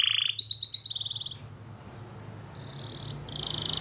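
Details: Canary singing for training: a short buzzy note, a few quick piping pulses and a high trill, a quiet pause with background hiss, then more high sustained trilling.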